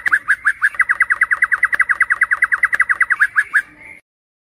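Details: Shama song recorded at night in Indonesia to lure contest birds into singing: a brisk, steady series of short whistled notes for about four seconds, ending in a brief rising whistle.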